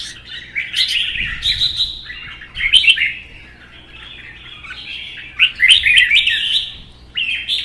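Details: Caged red-whiskered bulbuls in a provoked singing contest, a captive-bred bird against a wild-caught adult. Quick, jumbled whistled and chattering phrases in rapid bursts, loud peaks around the middle and near the end, with a soft thud early on.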